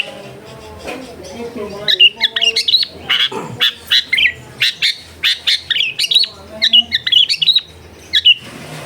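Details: Long-tailed shrike training song, meant to get a quiet bird singing, recorded at home amid dense housing: low murmuring notes at first, then a lively string of short, scratchy chirps and squeaky whistles, about two per second.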